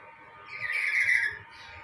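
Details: A male black-capped lory courting a female to attract her gives one harsh, raspy screech lasting under a second, loudest in the middle, with faint low background noise.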